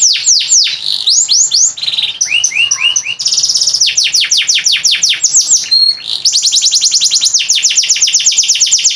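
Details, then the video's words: Canary singing as a tutor bird for training others, known for long song bouts: fast descending whistled notes, a lower warbled phrase, then long bright rattling trills of evenly repeated high notes. "SUARA KENARI"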